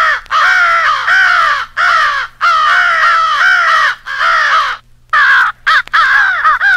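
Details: Crow fight rally call of American crows: loud raspy caws repeated in dense runs of about one per second, several voices overlapping, brief silent pauses between bursts.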